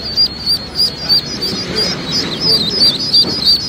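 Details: Welsh Harlequin ducklings peeping loudly: high, thin, slightly upslurred peeps repeated about three times a second in a steady, insistent series, with soft rustling beneath.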